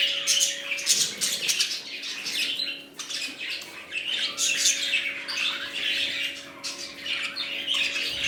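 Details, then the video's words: Chorus of budgerigars in a new colony, several birds calling at once in continuous high, scratchy squawks and twittering chirps, rising and falling in loudness over several seconds, with a faint constant hum underneath. "Budgies Parrots New colony"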